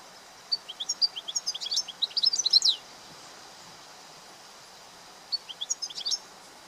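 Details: Free-living European goldfinch song: a lively run of quick, high, tinkling twitters and trills lasting over two seconds, a pause of a few seconds, then a shorter twittering burst, over quiet outdoor background noise.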